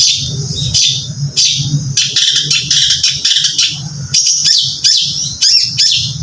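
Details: Bright, high chirping bursts from a caged contest songbird, short clusters of sharp notes separated by brief pauses, over a low hum.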